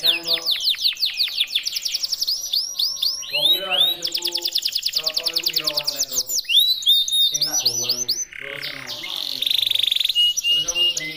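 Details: Indonesian red intense canary in full song: fast rolling trills, buzzy rattles and repeated high arched notes, changing tempo through the phrase, with a continuous bright high tone near the end.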